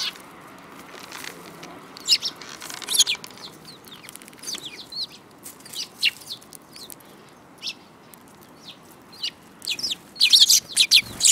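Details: Sparrows in a group, recorded March 2018, giving a busy run of short, high, clipped chirps at irregular intervals, growing denser and louder toward the end.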